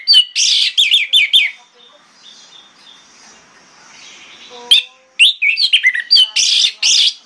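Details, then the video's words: An orange-headed thrush sings in the morning, rich, varied phrases of whistles and quick trills, high and loud, with a quiet pause before resuming; the song is used to prompt other orange-headed thrushes to answer. "PANCINGAN ANIS MERAH PAGI HARI|| ANIS MERAH LAIN AUTO NYAUT"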